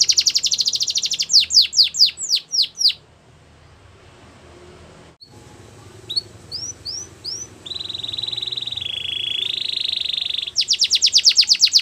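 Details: Belgian canary singing to train young canaries: a rapid trill and downslurred notes, a short silence, a few rising whistles, a long buzzy roll, then another fast trill.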